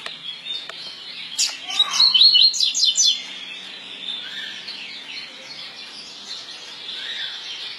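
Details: Coleiro pardo (double-collared seedeater) singing the 'tui tui' song type: a quick burst of bright, high whistled and twittering notes lasting about a second and a half, followed by softer, scattered chirps against faint background hiss.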